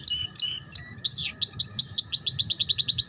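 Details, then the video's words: Ngeriwik canary song meant to teach young canaries. Paired high and low whistles give way to a swooping note and an accelerating series of bright, evenly repeated chirps. "Suara PANCINGAN KENARI PAUD Belajar BUNYI Ngeriwik"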